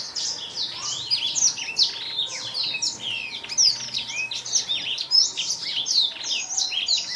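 A black-throated canary sings a fast, continuous stream of high twittering notes and thin whistles, with a faint steady hum underneath.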